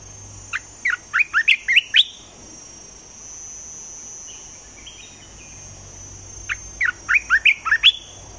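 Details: Olive-winged bulbul kept as a caged decoy bird for trapping, giving two bursts of quick, bubbly chirped notes that rise and fall, about six notes each, separated by a few seconds of quiet with a steady high hum behind.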